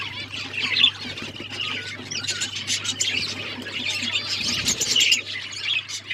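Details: Several pet budgerigars chirping in a steady stream of scratchy warbles and short squawks, rising and falling in loudness, with a constant low hum beneath.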